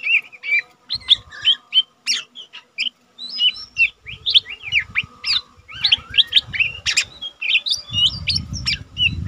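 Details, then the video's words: Young Lesser green leafbird kept caged, singing often as a tutor for other birds: quick bursts of varied chips, whistled slurs and buzzy notes in rapid sequence, with low rumbling noise in places, strongest at the end. "cucak ijo mini bahan udah rajin bunyi cocok untuk masteran burung cucak ijo mini bahan lain nyah"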